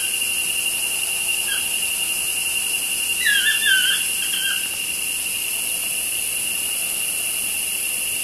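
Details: Two toucans calling outside a studio window: one faint yelp, then a tight cluster of descending, squealing notes in the middle, set against continuous high-pitched insect buzzing.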